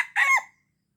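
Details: Brief crowing phrase of a red junglefowl from Aceh, used to lure wild birds. A single harsh, rasping burst falls away quickly into silence.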